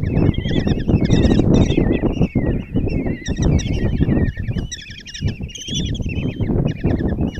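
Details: Five kestrel chicks clamour in their nest box at Tiszalök, Hungary, on June 26, 2024, as the mother delivers breakfast: bursts of shrill, quavering squeals that rise and fall in intensity, with scuffling and low rumbling.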